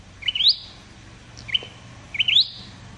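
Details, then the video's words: Flowerpecker trapping-lure calls: three high upswept chirps with short whistled tails, the middle one quieter, over steady background hiss and hum. "Tiếng chim sâu đầu đỏ đi bẫy"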